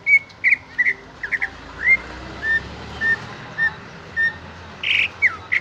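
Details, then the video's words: Greater green leafbird singing clear whistled notes, some doubled or slurred, spaced about half a second apart, with a brief harsh burst near the end; light background hiss. "Suara Cucak ijo Original tanpa isian"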